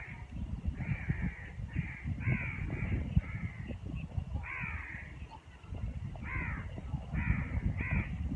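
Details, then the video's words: Birds in neem and moringa trees as winter draws near, cawing harshly again and again, about ten rasping notes spread evenly across the stretch over a constant low rumble. "Birds | song"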